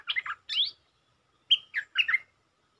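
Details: Stripe-throated bulbul in sab-rik lure song, a territorial resident bird provoked to answer: two brief groups of three quick, slurred chirps separated by a short gap, bright and bubbly.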